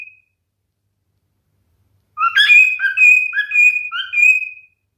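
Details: A male cockatiel sings one whistled phrase after a long silence: a rising chirp, a sustained clear whistle, then several short dipping notes.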